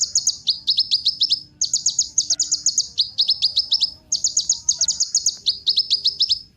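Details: Lure song of a kolibri ninja sunbird for prompting other birds to sing: steady series of high, bright, rapidly stuttered chirp phrases, each lasting under a second and repeated almost without pause.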